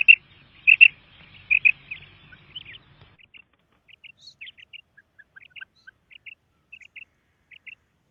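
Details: A female quail calls with loud doubled chirps, then softer, fainter single and paired notes that continue at uneven intervals. A low hum runs under the first few seconds.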